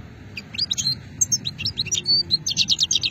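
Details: European goldfinch, Hammam Guergour, Sétif, Algeria, 2020, delivering old-style shetla song: a fast, continuous stream of high tinkling twitters and liquid chirps that quickens toward the end, with faint low background noise.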